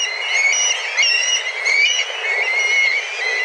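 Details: Many black kites, a group of dozens, swirl overhead calling intensely as they look for food; high whistled calls with rising and falling inflections repeat rapidly and irregularly, about 91 per minute, in a dense chorus.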